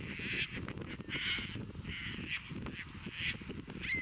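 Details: Caspian terns court on a Chicago beach at Montrose on April 22, 2024, offering caught fish to potential mates. Hoarse, scraping cries repeat roughly every half second to second, with a breezy background rumble.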